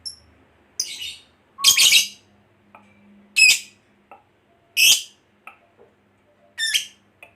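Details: Lovebird calling with scattered harsh, high squeaky chirps and short buzzy bursts, spaced one to two seconds apart, over a quiet low hum.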